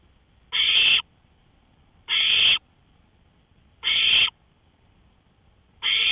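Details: At 1:53 AM on May 5, 2013, an owl on a porch gives four loud, breathy rasps, each about half a second, spaced roughly 1.7 seconds apart amid stillness.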